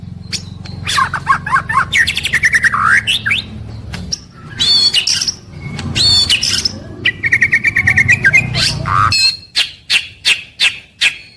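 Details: White-rumped shama in full daily song, morning to evening. Rapid varied phrases mix swooping whistles, buzzy trills, sharp clicks and a level whistled run. The song ends in a series of crisp ticking notes about half a second apart, over a low background hum.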